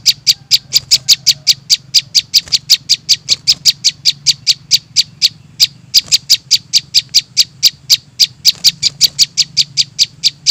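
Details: Juvenile prinia calling, used as a bird-trapping lure: a long, rapid stream of sharp, high chips, about four or five each second, with short pauses near the middle, over a faint low hum.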